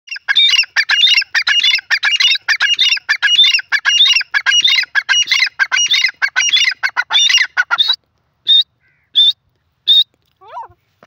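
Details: Grey francolin calling: a loud, rapid series of harsh, squawking notes repeated almost continuously for eight seconds, followed by a few separate high notes and a faint falling whistle at the end.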